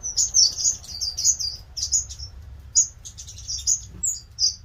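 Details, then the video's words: Aviary finches calling with quick, high-pitched tweets in clusters of two or three, short pauses between bursts, a faint low hum underneath. "Finches in the Aviary"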